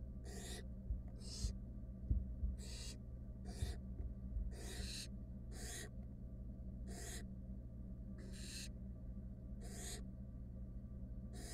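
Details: Wild barn owls in a monitored nest box, three nestlings together with their mother: a steady series of harsh, breathy hissing bursts, each under half a second, repeated about every 0.7 seconds over a low background hum.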